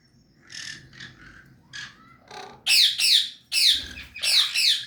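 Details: An adult pair of sun conures give loud, harsh screeches in a rapid series after a few softer chirps.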